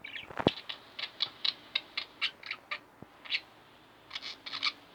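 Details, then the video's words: Two pet budgerigars indoors, short clipped chirps repeated at a quick, fairly steady pace, with a sharp click at the start. "Budgie Birds Extravaganza-Relax With My Budgies 15 minutes"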